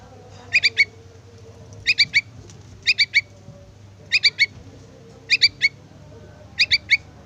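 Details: Young yellow-vented bulbul calling for its parent, giving bright, clipped three-note chirp bursts repeated steadily about every 1.2 seconds, six bursts in all, against quiet low background hum.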